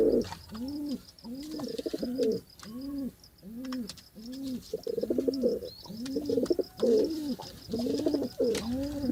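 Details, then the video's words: Pigeon cooing: a steady run of low, rounded coo notes, each rising then falling, repeated about every half second with overlapping voices, soft clicks and a faint high hiss behind. "صوت الحمامة " _ Sound of pigeon"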